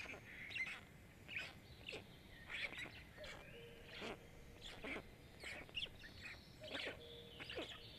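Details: Feeding time for five Black stork chicks at a Jõgeva County nest in Estonia, filmed by a nest camera on 29 May 2022: harsh scratchy begging bursts throughout, with a few short plain whistled notes between them.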